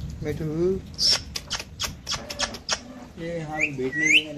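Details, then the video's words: A parrot talking in a rapid, speech-like stream of syllables and clicks, with a squeaky high note near the start and two rising whistles at the end. "parrot talking"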